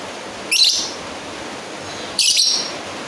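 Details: Two sharp, grating screech calls from a lovebird summoning a rival, the second slightly longer and fuller, about 1.7 seconds apart against faint steady background hiss.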